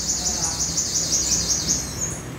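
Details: Captive, recently caught olive-backed sunbird being tamed during the morning, giving a continuous very high, thin, wavering twitter with fine rapid pulses throughout, against faint background hum.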